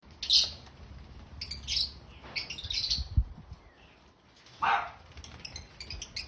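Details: Loud, shrill, harsh chirps from happy African lovebirds in short bursts a second or two apart, one a longer scratchy squawk, over a low background rumble.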